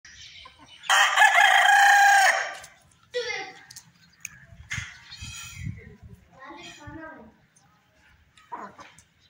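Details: Aseel breeder rooster kept with breeder hens, a fighter breed, gives one loud, harsh, drawn-out crow lasting over a second, followed by quieter, broken clucking notes and faint low background noise.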